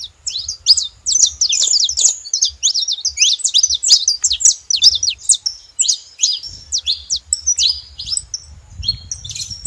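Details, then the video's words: Saffron finch song, the canário-da-terra, as a long fast chatter of sharp high chirps that loosens into spaced single notes and rising whistles, while a low background hum grows toward the end. "Canto de canário da terra fazendo barulho"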